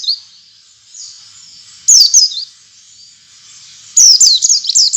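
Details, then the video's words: Oriental white-eye song played to stimulate other white-eyes into singing: thin high chirps, then a loud down-slurred whistle with a brief tail, followed by a fast burst of several sliding high notes at the end. "suara pancingan pleci agar pleci ngalas dan pleci buka paruh buka paruh"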